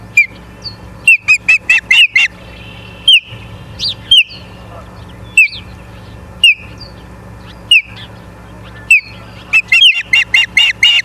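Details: Ospreys at a nest in Charlo, Montana, on 24 August 2023 at 17:43: loud, sharp whistled chirps, singly and in quick rising runs of four to six, over a low background hum.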